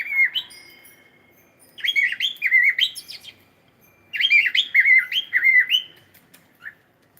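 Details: Cockatiel singing on a live stream, two clear phrases of looping, warbling whistles that rise and dip, each about two seconds long, ending with a single short chirp in a quiet room.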